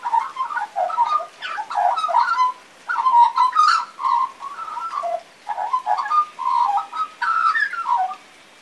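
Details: Young magpie still learning to sing, giving a long, uneven sequence of fluty warbles, whistles and burbling notes in bursts of about two seconds with short pauses, occasionally rising into thin, higher squeaks.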